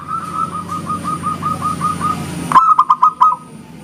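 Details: Zebra dove of local stock in engkel song, meant to draw answering birds: a long series of soft, even coos over a low rumbling hum, then a louder burst of five quick, clear notes.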